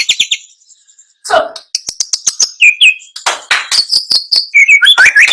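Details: White-rumped shama song: a varied, fast medley of clear whistles, sharp high chips and slurred notes, with a brief rough noise burst early on, growing denser and louder toward the end.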